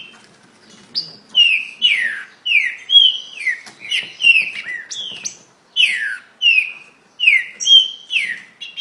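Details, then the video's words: Green-winged saltator (trinca-ferro) in rapid song: a brisk series of rich, descending whistled phrases broken by sharp high clicks and accents, repeated about twice a second with short gaps. "Trinca ferro muito rápido"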